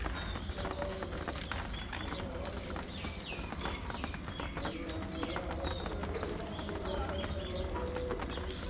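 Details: Budgerigars kept in a cage setup calling continuously, a dense mix of sharp high chirps, warbling slides and brief squeaks from several birds, set against a persistent low hum and light rattling taps.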